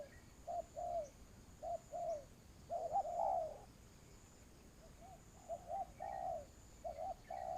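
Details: Spotted dove cooing in a decoy trapping setting: low hollow coo notes in short and long pairs, one louder overlapping burst midway, then a pause before the cooing resumes, over steady faint background hiss.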